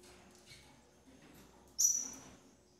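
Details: Female double-collared seedeater tending her nestlings. After soft, faint chipping, a single loud, piercing high whistle rings out and trails off.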